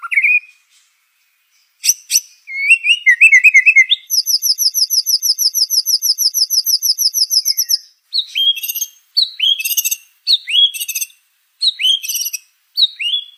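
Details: White-rumped shama delivering full competition song meant for copying: varied whistled phrases, a long, fast, high-pitched rattling trill, then sharp downslurred notes repeated in separate bursts with short pauses between.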